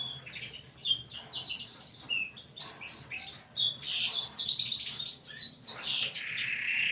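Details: Canary song with unique cengkok melody, heard as a jumble of quick chirps, short whistles and warbled notes at moderate volume, fairly busy and irregular.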